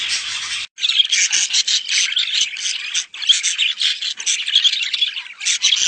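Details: Budgerigar mating calls for encouraging breeding: choppy bursts of high chirping chatter separated by two short silent gaps.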